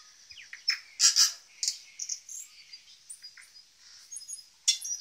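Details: Native tui, a pair displaying at Zealandia, Wellington, New Zealand, give a varied song of high whistles, sharp clicks and broad rasping bursts, irregular and loud, with short gaps between the notes.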